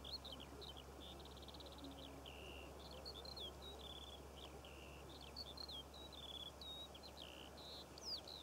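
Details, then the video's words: Eurasian skylarks singing over poppy fields in Cornwall in June 2014; a continuous high, fluttering warble of trills, buzzy runs and short whistled chirps without pause, over a steady low hum. "Skylark Bird Song"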